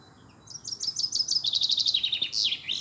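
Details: European robin on 13 April 2020, Easter Monday, delivering one phrase: spaced high notes speeding into a rapid trill of repeated chirps, ending in a downward-sliding whistle and a short upturn.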